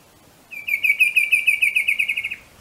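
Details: Bicolored antvireo (Dysithamnus occidentalis) from Colombia giving a fast, even rattle of about fifteen short, high notes over nearly two seconds, steady in pitch and fading slightly at the end, against a quiet background.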